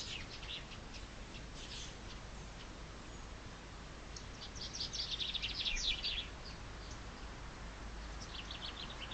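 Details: Chaffinch song in spring heard against steady low rumble and hiss: one clear mid-clip phrase of rapid high notes falling to a flourish, with fainter fragments of song at the start and end.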